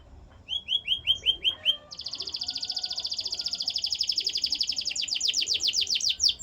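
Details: Canary song beginning with a few spaced whistled notes, then breaking into a long rapid high trill that turns into faster down-slurred notes.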